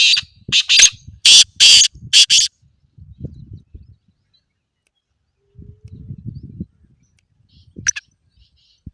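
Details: Black francolin call for training caged francolins. A quick series of five loud, hoarse, rasping notes opens the recording, followed by low rumbling noise patches and one thin high note.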